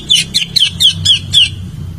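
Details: Greater green leafbird song played as a prompt to get a silent bird to respond: six clear, high whistled notes, each sliding downward, given in quick regular succession over a steady low rumble of traffic.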